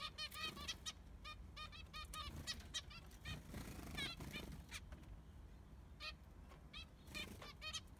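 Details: A baby Zebra finch in an aviary, one of six siblings, gives bursts of short, nasal, buzzy calls over a low background rumble.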